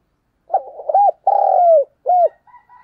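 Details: Decoy call of a spotted dove for luring wild doves: quick broken notes lead into a sustained, slowly falling coo and a brief final coo. The sound is clean and loud, with no other noise.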